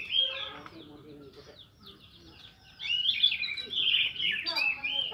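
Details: Orange-headed thrush singing in the morning in the loud, open ngeplong style, meant to prompt other thrushes to sing; rich, varied whistled phrases, some brief and fluty, others sweeping, loud at the start, softer in the middle, then a strong burst.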